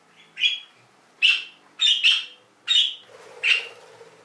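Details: Canaries, described as exotic birds: five short chirped notes at high pitch, spaced irregularly about every half to one second, with a faint low hum behind.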